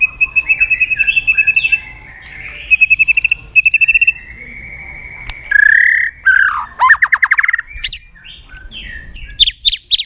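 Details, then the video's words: White-rumped shama song used as a lure to set silent shamas singing: runs of rapid whistled trills near mid pitch, then loud slurred upward and downward whistles and sharp chips, with pauses between phrases. "pancingan murai batu gacor bikin yang lain DOWN!!pancingan burung murai batu nyaut"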